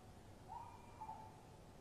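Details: Tawny owls at a nest box camera, 23 March 2015 around 3 a.m., male opening a night-time exchange and female answering: two short, low whistled hoot notes over a faint background hiss.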